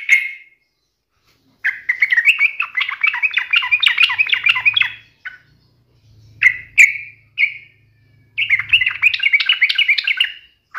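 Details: Yellow-vented bulbul singing hard to taunt a rival: extended rippling warbles, short whistled notes between, and a faint low hum in the background.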